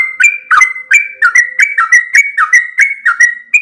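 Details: 'Ropel panjang' song of a Sooty-headed bulbul used to train caged birds: quick, clear whistled notes with downward slurs, steady rhythm near three per second, over a faint continuous background tone.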